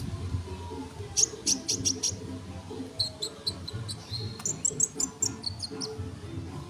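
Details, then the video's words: Sunbird tutor recording for training songbirds: very high, thin chips in quick runs of four or five, then sharp ticking and short high whistles, over a steady low rumble. "masteran burung kolibri super gacor"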